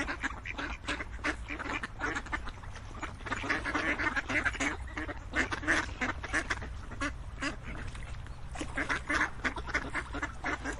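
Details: Crowd of ducks quacking in a thick continuous din, rough calls at roughly three per second, briefly thinning before picking up again toward the end.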